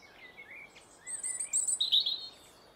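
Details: Robin singing near bird feeders, a thin high warbling phrase: soft wavering notes at first, then a louder burst of sharp, very high squeaky trills and twittering, over a quiet hiss.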